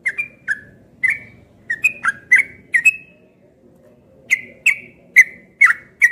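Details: Morning song of a caged trucukan ropel placed outside: clusters of quick whistled chirps, a short pause, then a further burst of five loud clipped notes.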